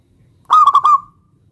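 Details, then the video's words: Singing local zebra dove calling out to a rival to provoke a reply. It gives a single mellow phrase of three or four bubbling pulses that runs into a longer fading coo, with faint low rumble behind. "perkutut lokal gacor MEMANGGIL LAWAN ini ampuh MEMBUAT agar burung perkutut gacor NYAUT SEKETIKA"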